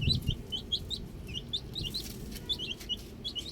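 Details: Outdoor baby chicks peeping: clear high single chirps, several per second, some slurred downward, with a soft low rumble and a brief thump at the start.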